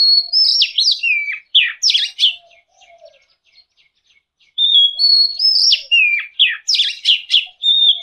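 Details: White-rumped shama song: rich bursts of whistles, sweeping slurs and sharp chips, fast and varied, with a quieter pause mid-clip before the bright phrases resume; soft low notes sit beneath.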